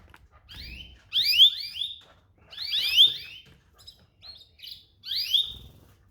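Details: Pet canary calling in clustered bursts of quick, high chirps that sweep downward, with three loud groups spread over six seconds and faint notes between them.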